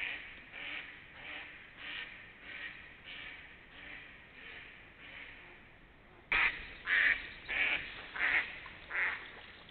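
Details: Series of duck quacks from late March to early April 2021: a softer run of evenly spaced nasal calls, then a sudden louder sequence of six harsh quacks roughly every half second.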